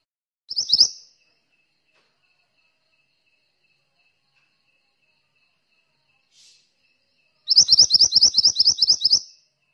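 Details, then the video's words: Mantenan in active song (gacor), a training bird: a short clipped burst of high notes, a long quiet gap with a faint tick, then a rapid phrase of about ten shrill chirps. "suara burung mantenan gacor"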